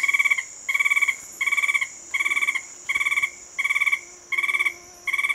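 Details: An Alto Pisones tapaculo (Scytalopus alvarezlopezi, then undescribed) sings in PNN Tatamá, Colombia: eight short, buzzy bursts of rapid pulses at a steady mid pitch, about one every two-thirds of a second, over a constant high insect hum.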